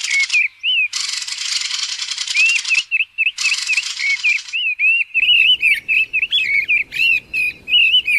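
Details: Mistle thrush recorded in 2020 during passage. Long dry rattles alternate with quick wavering whistles, which then continue as a busy run of looping notes.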